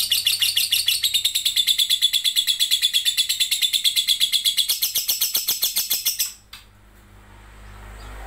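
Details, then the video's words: Lovebird performing in an online singing competition, from Sambas, West Kalimantan: a rapid run of high harsh chattering notes, about two per second, lasting six seconds before stopping abruptly. "LOMBA LOVEBIRD ONLINE 15"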